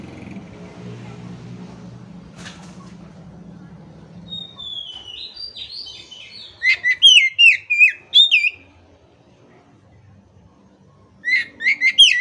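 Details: Kacer, the Oriental magpie-robin, giving a soft descending buzzy warble, then a rapid run of loud clear whistled notes, a pause, and a second short burst of whistles; low rumbling noise early on.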